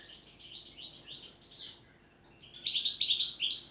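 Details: European goldfinch song in the style called 'pletivo', delivered without pauses: a fast twittering run of high, buzzy notes, a brief gap, then a louder liquid chatter of repeated trills.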